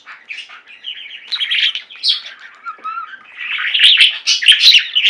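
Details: Budgies singing as a household flock, with a soft, steady warble that grows louder and denser into bright, high chirping near the end.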